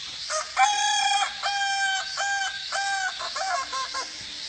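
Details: Kukuak Balenggek rooster, a Minangkabau singing chicken, crowing loudly: a long multi-syllable crow of stacked, stepped harmonic notes, breaking into several level segments before trailing off, with quieter clucking and background hiss.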